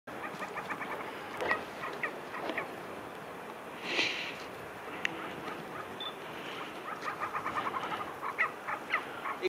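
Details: Male and female Tibetan snowcocks trade contact calls near Zindal, Ladakh: harsh, clucking and whistled notes repeated in loose bursts, with a brief rushing gust near the middle.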